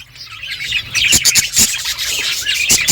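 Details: Budgerigars chirping while eating, short bright tweets and thin whistles over quieter chatter, punctuated by several crisp clicks.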